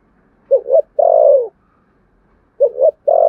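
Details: Spotted dove contest cooing in the Sấm Thổ style, with a quick double note leading into a drawn-out, downward-bending coo. The phrase repeats after about two seconds in a quiet background.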